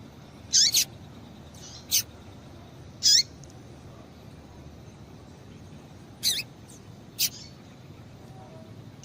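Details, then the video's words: Female Double-collared Seedeater (coleiro) giving short, high, sharply falling chip notes, singly or in quick pairs, at uneven intervals over faint hiss; a female call played to warm up and stimulate male coleiros into singing. "Piado de Fêmea de Coleiro Quente para Esquentar Coleiro"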